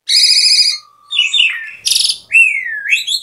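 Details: Asian pied starling, loud and energetic: a harsh, wavering buzz, then a long low flat whistle, a burst of rattling notes, and a smooth whistle that dips then rises again.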